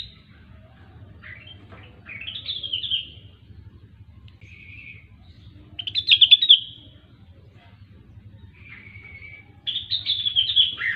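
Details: Grey-cheeked bulbul (rengganis) in 'gacor' song: separate chattering phrases every few seconds, some buzzy and level, one a rapid rattling burst, the last a descending warble, over a soft steady hum.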